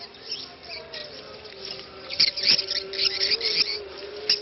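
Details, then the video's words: 'Ceklok' swiftlet lure sound meant to draw swiftlets in, with a faint call to prayer audible: quiet start, then dense clusters of high, crackling clicks and twitters from about two seconds on, over a steady low droning tone. "SUARA CEKLOK Walet"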